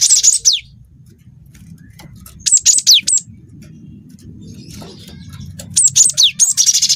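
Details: Cinereous tit with canary-tutored song: high falling whistled sweeps in two bursts, then a quieter stretch of scattered notes, ending in a rapid buzzy trill, with low background noise throughout.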